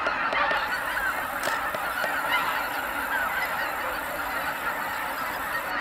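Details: Geese coming back to roost at Kabukuri-numa marsh after sundown, tens of thousands calling together, producing a dense, unbroken babble of honks that eases slightly in loudness over the seconds.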